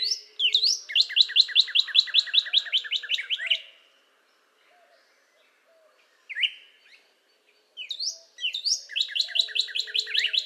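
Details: A Northern Cardinal (Cardinalis cardinalis) delivers a long, rapid train of repeated whistled notes, falls quiet, offers a couple of upslurred whistles, then resumes the fast repeated series.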